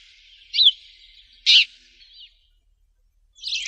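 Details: Sparrow chirping: a few loud, clipped chirps spaced about a second apart, then a burst of busy chatter at the end.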